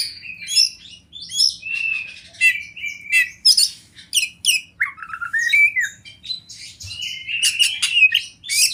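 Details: Fighter-type oriental magpie-robin in captivity delivering loud mixed song: clear sliding whistles interleaved with scratchy squawks and clicking bursts, phrases of about a second, low background hum.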